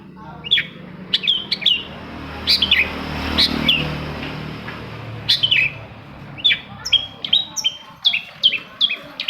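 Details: Long-tailed shrike song played to make other shrikes sing, starting with sparse, sharp chirps and downslurs, then a faster closing series of short, high, bouncing whistled notes over a low droning background.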